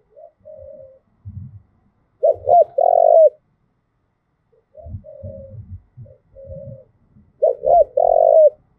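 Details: Spotted dove, Đồng Nai, Vietnam, cooing in the 'thúc gù' manner used to train decoys; soft level coos alternate with louder looping then rolling phrases, with low knocking thumps in between.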